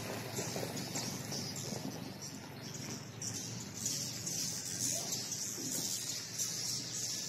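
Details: Many swiftlets in a swiftlet house, at their busiest since its renovation, give a dense, continuous chatter of high, thin twittering chirps, with a steady hiss and low background rumble.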